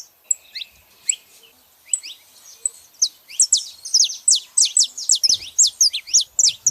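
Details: Female and male saffron finches calling: a few scattered high chirps, then from midway a fast, dense run of sharp downward-sliding notes, bright and high-pitched, about two per second.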